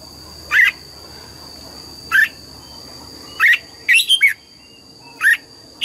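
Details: Red-whiskered bulbul in morning song, trained for double-note 'già rừng' singing: clear downslurred whistles repeated about every one and a half seconds, one broken into a quick three-note warble, with a faint steady hum behind.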